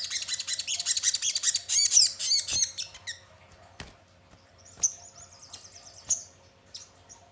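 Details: Sogon song used as a lure to prompt other birds to sing and answer: a rapid, high, tumbling twitter of chirps for about three seconds, then sparse thin high notes and a short trill, with occasional sharp clicks.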